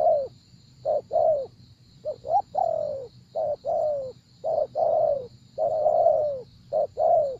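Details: Spotted dove cooing steadily during decoy trapping, about seven phrases in a row, each a quick rising double note and a longer mellow falling coo, over a constant faint high-pitched whine.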